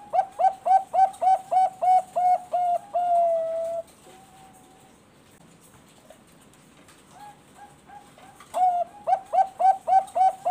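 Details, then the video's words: A captive-bred Bangkok zebra dove in full song gives a quick run of mellow staccato coos, about three per second, pauses quietly, then starts again. "PANCINGAN SUARA BURUNG PERKUTUT BANGKOK GACOR"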